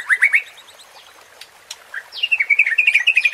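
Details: Murai batu, the white-rumped shama, in a provocation recording meant to rouse fighting spirit: a quick burst of rising chirps, a short quiet gap, then a rapid chattering series of warbled notes.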